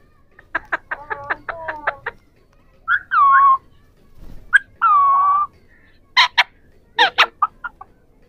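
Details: Three Ringneck (rose-ringed) parakeets chatter in a varied string of rapid clicking pulses, nasal harmonic notes and sharp squawks, some sounding like clucking, with pauses between.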